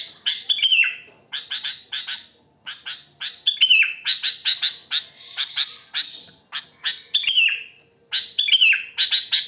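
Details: A sooty-headed bulbul's natural wild song, without imitated fill, for luring bulbuls: dense runs of quick chirping notes broken by several descending, slurred whistles, repeated almost continuously.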